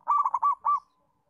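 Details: Zebra dove, local perkutut strain, master song for training doves to call: a short, fast series of mellow cooing notes, rolling then ending in one longer coo.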